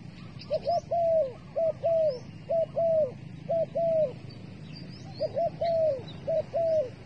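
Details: A dove, used as trapping bait, gives soft, rounded coos in quick pairs and triplets, roughly one per second, with faint high chirps from other small birds behind.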